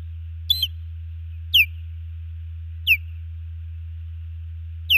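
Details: At a Montana nest in Hellgate Canyon, Missoula, a female osprey calls as the male drives off an intruding osprey, June 15, 2019, on a nest camera: shrill downward-slurred whistles repeated at uneven intervals over a constant low electrical hum.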